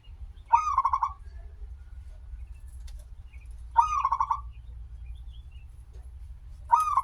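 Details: Zebra dove lure song, a local bird with a long opening phrase: short bubbly trilled coos repeated roughly every three seconds over a continuous low rumbling background.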